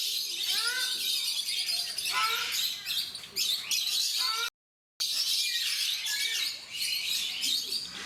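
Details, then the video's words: Ruddy shelducks (Brahminy ducks) at Mysore Zoo give loud, nasal honking calls in a quick cluster, then sparser ones, over steady hiss with small birds chirping and faint voices. "Ruddy Shelducks / Brahminy Ducks Making Sounds"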